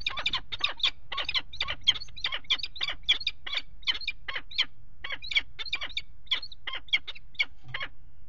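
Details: Peregrine falcon at a nest box on a water tower, 5 February 2018, with mating on the ledge: a fast series of harsh, scratchy notes repeated about three times a second, steady and unbroken, over a low background rumble.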